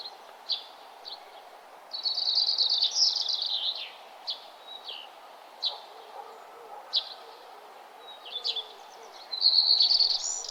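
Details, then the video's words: Morning birds singing on a nature trail at sunrise; a long descending warbled phrase, then spaced short sharp chips repeated every second or so, ending with another bright trilled phrase. "Nature trail with birds singing and the sun arising"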